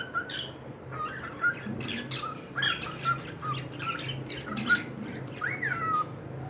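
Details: Pet cockatiels indoors with soft repeated chirps and clicks, ending in a louder rising-then-falling whistle.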